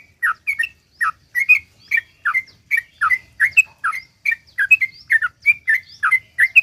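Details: Sooty-headed bulbul singing energetically in the long 'ropel' style meant to lure others into song. Crisp whistled phrases of two or three notes follow one another rapidly and evenly throughout.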